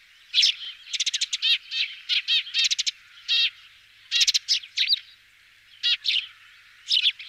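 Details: Eurasian tree sparrow (Passer montanus) in France giving bright, metallic chirps, some in quick stuttering runs, others single, repeated irregularly over a quiet background.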